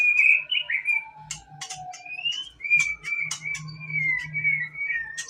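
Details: White-rumped shama song used to provoke other shamas into singing: clear whistled notes sliding up and down, some long and drawn out, mixed with sharp clicks and bursts of low background noise.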